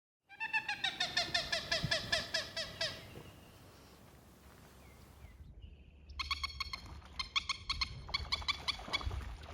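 A common moorhen gives a run of rapid, nasal, slightly falling cackling notes, then after a brief pause a harsh, fast chattering burst.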